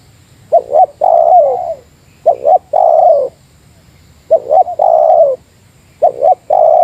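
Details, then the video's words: Meratus spotted dove calling against a competitor as a lure bird: rhythmic low coo phrases, a quick two-note pickup then a drawn-out mellow coo, repeated four times at steady spacing. "Suara Burung Tekukur Meratus Lawan 3 detik Lawan Turun Dari Paparan"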